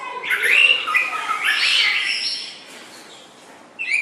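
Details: White-rumped shama song used as tutor material for training songbirds: loud, rich, varied whistles and slurred notes jumping between pitches for about two and a half seconds, then fading, with a new bright phrase starting at the end.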